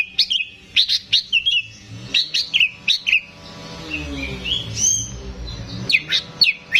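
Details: Greater green leafbird kept in a cage, a keen singer used as a tutor for young birds: bright whistled phrases and sharp chirps in quick bursts, a brief softer warbling pause, then more high rapid notes.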